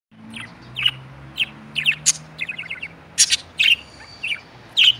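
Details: Female and male budgerigars chatter with quick, scratchy chirps and sharp squeaks in irregular bursts.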